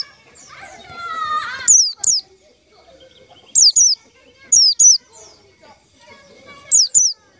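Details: White-eye trapping lure: paired sharp, high, falling notes repeated at intervals of about a second, after an opening lower harmonic call from another bird.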